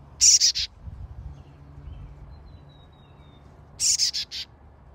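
A young chickadee gives two quick bursts of three or four high, harsh, buzzy notes, a few seconds apart, over a faint low rumble.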